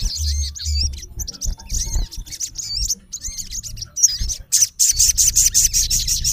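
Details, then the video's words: Male olive-backed sunbird challenging a rival with scattered high twittering chirps and short looping whistles, ending in a rapid, harsh run of rasping high notes; some low rumble beneath. "MALE SUNBIRD CALLING RIVAL -SOGON GACOR MEMANGGIL LAWAN KASAR"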